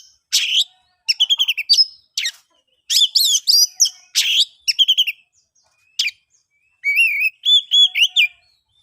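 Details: Oriental magpie-robin in full song, played to prompt silent birds to sing; quick rattling note series, bright slurred whistles and a clear rising-falling whistled phrase toward the end.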